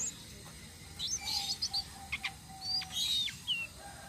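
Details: Tledekan sitrun selendang biru flowerpecker singing a rolling song meant as bait for other birds: brief, very high, thin slurred tweets in small bursts, with a quiet lower whistle drawn out beneath.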